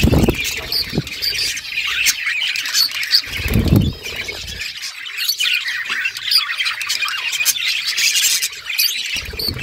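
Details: Several budgies playing with each other, nonstop high squawky chirping and warbling chatter, with occasional low bumps and rustles.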